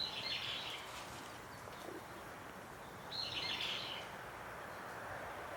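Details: Eastern crowned warbler singing: two short, burry, buzzy phrases about three seconds apart, each a quick rough trill of middle-high pitch, set against a steady low background hiss.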